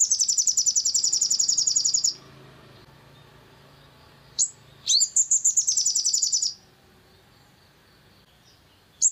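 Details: Long-tailed shrike in a lure recording meant to provoke other shrikes into singing. A long, harsh, high, rapidly pulsed rattle ends after two seconds. A short squeak and a second buzzy rattle follow, with faint low background hum.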